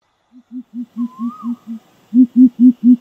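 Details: Greater coucal, called crow pheasant, giving a series of deep, hollow hoots repeated about four per second, briefly pausing then resuming louder; a thin rising whistle from another bird overlaps early on.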